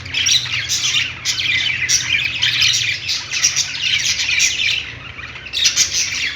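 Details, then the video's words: Several budgies on a perch in a pet store chirp and warble together in an unbroken, busy chatter, with brief louder bursts near the start and again at the end. "budgies singing on perch | parakeet chirping sounds in pet store"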